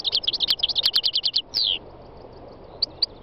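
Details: European goldfinch of the North African form, aged three, in spring in the north-west Tunisian mountains, delivers a rapid series of bright repeated twitters, then a drawn-out descending buzzy note, followed by two isolated chirps after a pause.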